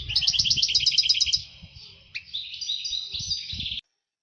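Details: European goldfinch excited song aimed at stimulating hens to breed. A rapid, evenly pulsed trill is followed by softer jumbled twittering, with faint low thumps beneath, and then it cuts off abruptly.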